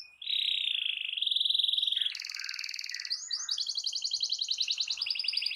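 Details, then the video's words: Canary song meant to get a silent canary singing: a steady buzzy tone, a shift to a rapid grainy trill, then a fast, even rolling trill to the end. "Terapi Ampuh Burung Kenari Macet Dijamin Langsung Ikut Bunyi II Masteran Suara Burung Kenari Gacor"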